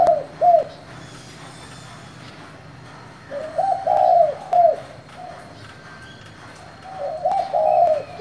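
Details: Spotted dove singing 'thổ'-style coos meant to provoke other doves: short phrases of two or three mellow, low coos, separated by pauses of about three seconds, against faint background hiss.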